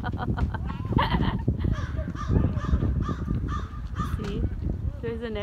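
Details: A noisy black crow, first mistaken for a hawk, gives a series of harsh repeated calls over about four seconds while a person talks nearby.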